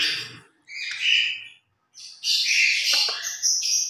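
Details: Pair of pet grey parrots in their morning routine give high chirps and whistled squeaks, a short burst, a pause, then a longer, denser run of shrill notes.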